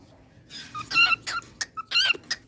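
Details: Pet cockatiel singing: a short run of bright chirped and whistled notes, some with sharp rising and falling slides, delivered in quick clusters over about two seconds.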